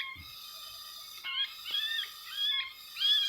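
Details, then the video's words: Sooty-headed bulbul being lured for capture without glue by a West Lampung trapping community; several quick, liquid whistled phrases, each rising then dipping, repeated about every second above a constant ringing background hum. "Mikat kutilang pikat kutilang"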